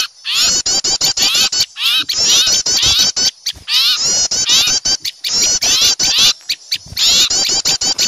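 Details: Several small birds scolding noisily because they see an owl, a luring sound: fast, high, rising-and-falling chips and twitters packed into repeated bursts roughly every second or two.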